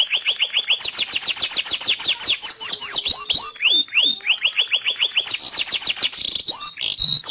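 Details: Lively canary singing without a break: rapid trills of high upslurred notes, then a string of descending whistled sweeps, then more quick rolling trills that end in short high chirps.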